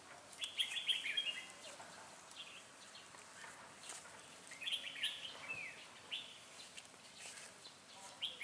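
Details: Red-whiskered bulbul used as a decoy while trapping, singing short bright warbled phrases in bursts around half a second and five seconds, over steady rural background noise with faint other chirps.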